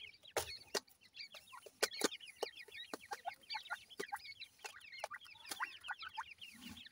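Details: Grey francolin chicks giving a dense chorus of high, thin, rapidly repeated peeps, many birds overlapping, broken by sharp knocking clicks.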